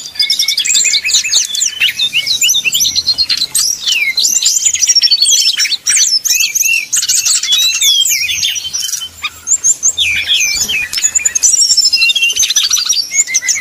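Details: Extended 'nyuling' song of a brown-chested jungle flycatcher, used to provoke rivals into singing: dense torrent of quick high whistles, slurs and trills, briefly dipping before resuming, faint low hum beneath.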